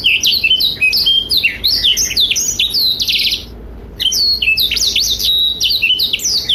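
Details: Blackthroat pouring out varied high notes to train young and adult canaries: quick slurs and a buzzy trill, a short lull, then fast chirping phrases again.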